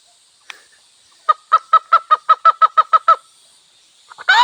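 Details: Wild hen in a village: a run of about ten evenly spaced, rapid clucks, then a pause and the start of a louder, harsh call, over a steady high hum.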